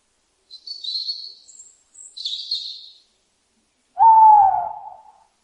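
An owl gives two thin, high hissing screeches, then one louder, lower hoot that slides slightly downward and fades.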